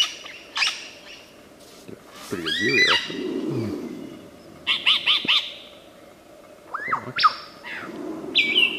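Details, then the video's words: Wild superb lyrebird of Australia imitating surrounding birds: scattered sharp chips, a cluster of arched whistles, quick triple bursts, and looping high notes, with low rumbling sounds in the background. "Burung Peniru Terbaik, Burung lyre kecapi / lyrebird di alam liar"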